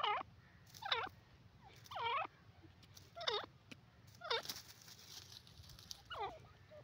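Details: Grey francolin, desi teetar, calling repeatedly: ringing, descending then rising notes roughly once a second, six in all, over low background hum.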